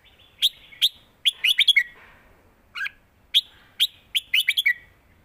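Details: Two bursts of clear, fluty chirping from caged red-whiskered bulbuls trading songs in a southern master-style contest. Each phrase has spaced single notes, then a rapid run of four or five ending in a falling slur.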